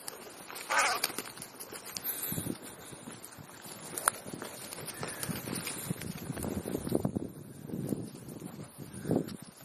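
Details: Crows gathering on an ordinary afternoon in Clara Zetkin Park, Leipzig, many birds present; scattered harsh caws mix with a busy background of overlapping low sounds and rustling.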